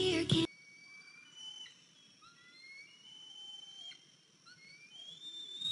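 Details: Eaglet, 103 days old, back on the nest on the morning of April 14, 2023, after fledging, and walking with a limp. A short loud knock opens, then thin whistled calls: long level or gently rising notes, some sliding downward.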